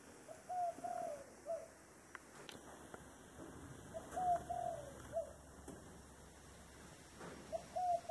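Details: Dove repeating its 'thổ đồng' style cooing phrase three times, roughly every three to four seconds. Each phrase has low short and drawn coos ending on a clipped note. Light knocks and clicks sound in between.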